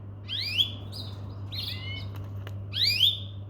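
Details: Domestic canary giving a few rising whistled sweeps and a short buzzy double note, heard over a constant low hum and a faint click.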